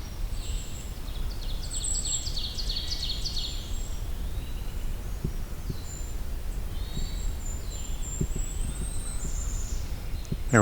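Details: In the Allegheny National Forest, a Golden-crowned Kinglet sings a long, very high, thin string of notes that tumbles lower at the end, over a steady low rumble and other faint birds.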